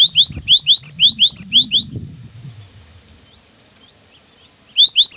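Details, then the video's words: Cinereous tit singing the long 'wucit wucit' style meant to stimulate other tits into song: quick rising whistled couplets for two seconds, a low rumbling background, near silence, then the whistles return. "SUARA ASLI GELATIK BATU GACOR PALING WUCIT WUCIT PANJANG"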